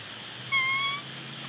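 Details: Bald eagle at its Big Bear Lake nest in mid-April 2019, captured by a live nest camera while the pair tends two newly hatched chicks: a single clear, level whistled note lasting about half a second, over faint background hiss.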